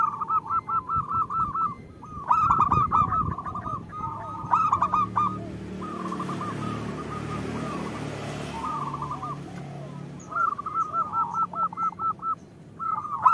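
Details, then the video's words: Zebra dove female calling to the male, a lure for males to sing: repeated phrases of fast, rounded coos and rattling bursts, a stretch of low hissing noise in the middle, then the coo series returns. "Suara Perkutut Betina Memanggil Jantan"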